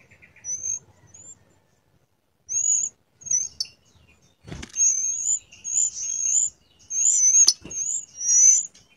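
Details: Wild Blood-breasted Flowerpecker giving sparse high, thin notes that build into louder clustered bursts of squeaky whistles. Lower twittering sits beneath, with two sharp clicks.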